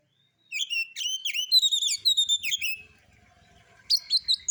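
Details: Oriental magpie-robin (kacer) singing alone as a relaxed lure to provoke other birds, harsh-style material: bright whistled notes with sharp downward flicks in a fast choppy series, a brief quiet gap, then more high chirps.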